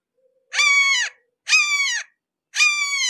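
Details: Three loud, strident kee-ah screams from a nearby red-shouldered hawk, each slurring downward, spaced about a second apart against a quiet background.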